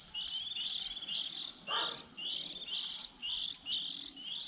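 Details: Early-season young white-eyes, 2020, recorded as a trapping lure: bright, thin, high twittering phrases repeating almost without a break, with one brief lower buzzy burst.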